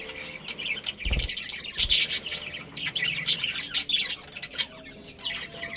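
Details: Colony of pet budgerigars, including a breeding pair and young, chirping together: dense overlapping high chirps and squawky warbles with a couple of low thumps near the start.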